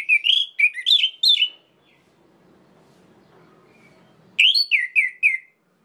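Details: Orange-headed thrush song played to provoke other birds into a rage: two bursts of loud, quick, slurred whistles, each about a second and a half, separated by a near-silent pause.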